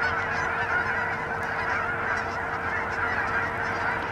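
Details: Canada geese crowding a Hutchinson, Kansas pond by the thousands on January 25, 2011, honking together in a thick, continuous chorus of overlapping calls.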